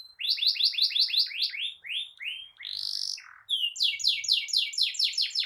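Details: Continuous canary song for training young canaries and stirring silent ones: fast series of sharply falling whistled notes, a short rasping buzz, then another quick run of repeated bright descending notes.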